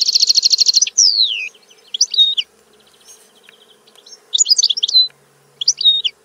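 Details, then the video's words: European goldfinch opening with a fast buzzy trill, then a sliding descending whistle, followed by bursts of bright tinkling twitters separated by short pauses. "Canto del Cardellino - Song of the goldfinch"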